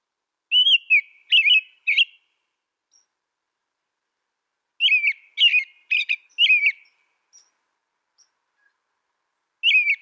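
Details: An American robin sings bursts of three or four caroling whistled phrases separated by pauses of about three seconds, each phrase rising and falling; background silent.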